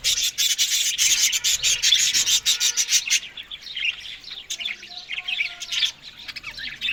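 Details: Australian budgies feeding on greens in the morning: a loud, rapid string of clipped chirps, then gentler wavering warbles and squeaky notes from the flock.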